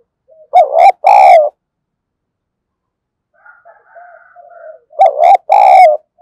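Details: Decoy spotted dove cooing to lure wild doves, voice style called thổ sấm: two loud, rich hooted coos, a softer murmured phrase of low notes, then another loud paired coo.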